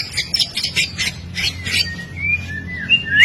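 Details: White-rumped shama singing a training song for birds: choppy, scratchy bursts repeated about every quarter second, then a long thin whistle rising and falling, over a low background hum.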